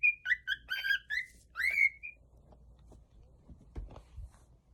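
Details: Cockatiel kept as a pet producing a quick series of warbled, harmonic-rich whistles for about two seconds, ending in a rising note, followed by faint low rumbles and soft knocks.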